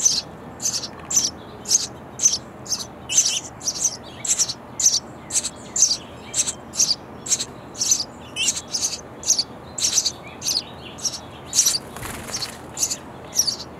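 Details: Nestling sparrows in a bird house nest chirping loudly for food while parents bring insects all day; high, shrill chirps repeated in a steady series about twice a second, with a brief rustle near the end.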